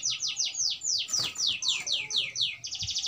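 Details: Agitated Oriental magpie-robin, stirred up to fight, repeating a bright descending sweep about four times a second in a steady series, ending in a quicker buzzy flourish.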